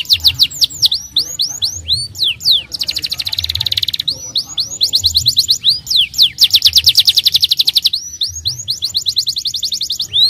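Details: Canary, starblue strain, in extended song used to provoke young canaries: bursts of falling whistles alternate with long rapid rolling trills, the pattern repeating several times.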